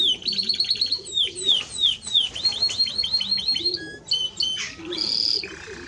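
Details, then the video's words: Timbrado Español canary repeating swept descending notes about three per second, followed by short metallic phrases and a sustained high trill. "Timbrado Español Canario song - Canario Cantado"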